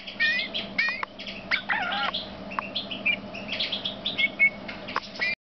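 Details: Male Eurasian bullfinch singing a soft, irregular mix of short piping whistles and creaky, wavering notes with brief gaps, over a steady low electrical hum.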